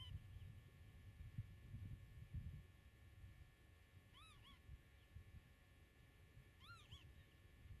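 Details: Common redshank (Tringa totanus) at its nest in meadowland, filmed from 8 m during nest monitoring while brooding, gives two brief bursts of clear, piping, down-slurred notes, two or three at a time, over steady low wind rumble.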